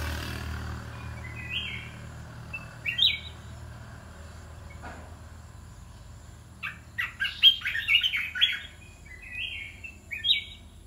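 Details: Caged red-whiskered bulbul: after a quiet stretch with faint insect chirring, a burst of bright whistled notes and rapid chirps clusters toward the end, then brief two-note phrases.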